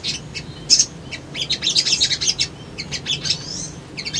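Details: Male Crimson Sunbird (sogon) singing in a lure recording aimed at provoking rival responses. Quick, very high chips and trills form clustered bursts, with a thin rising whistle near the end.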